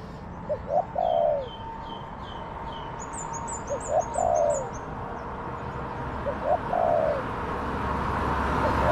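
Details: Spotted dove, a wild bird called in by a decoy in garden trees. Three similar phrases: quick paired coos and then a drawn-out, slurred note that drops in pitch. Thin high chirps from small birds are heard in between.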